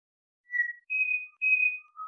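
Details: Three pure whistled notes from a Pied Butcherbird: a short note, then two longer steady tones a little higher, with a faint lower note trailing at the end.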